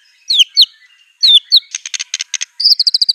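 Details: A raging white-rumped shama shooting out borrowed phrases of canary, cililin and cungkok: sharp high downslurred whistles, a dry rhythmic clicking rattle, then a fast even trill of high chirps.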